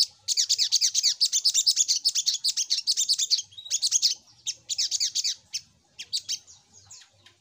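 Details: Little spiderhunter lure call: a fast, steady stream of high, sharp, rattling notes over several seconds, breaking into shorter chattering bursts and thin trailing squeaks.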